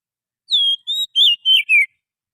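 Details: Wild forest Oriental magpie-robin, used as a lure to attract birds: five clear whistled phrases, a long falling slur and a short level note, then warbled notes dropping lower at the end, in silence.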